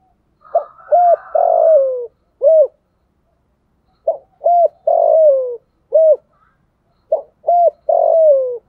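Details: Spotted dove decoy bird cooing to lure wild doves in the rainy, windy season, with the voice style called "thổ sấm". Three low, hollow phrases, each of short coos ending in a longer falling coo, come about every three seconds in quiet surroundings.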